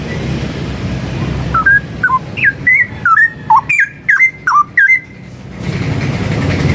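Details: Cucak rowo, the straw-headed bulbul, singing a training song for other birds. A string of clear, fluty inflected whistles rises and dips in quick sequence, set against steady low background noise that grows louder afterward.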